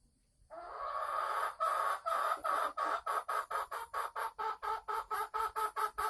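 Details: Caged female Sumatran red junglefowl cackling (ngekek) as she is about to lay eggs, recorded 24 December 2020; after brief silence, a steady train of harsh, harmonic clucks about two per second, growing shorter and more evenly spaced.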